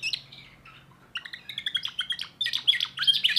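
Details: Young timbrado canary singing a 2024 repertoire: a brief soft phrase, a pause, then a rapid run of bright chirped notes around four per second, building into denser warbled trills; faint low hum underneath.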